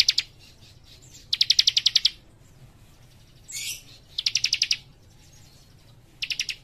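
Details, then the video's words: Young leaf warbler singing in fast, tightly packed bursts: repeated trills of sharp bright chips, one harsher buzzy rasp between them, over a faint background hum. "Cikris Muda Gacor Nembak Rapat"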